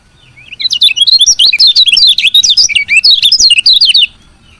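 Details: Female lemon-bellied white-eye giving its chirping call, used to stimulate lazy males into singing: a dense, rapid burst of high, sharp twittering notes for about three seconds, rising and falling quickly, over a faint low hum.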